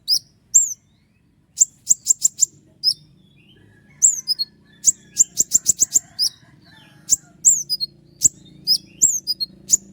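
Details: Long roll of sharp 'tembakan' phrases from a Common iora: clusters of quick, very high piercing chips alternate with slurred whistles, repeated in fast tight series over a faint low hum.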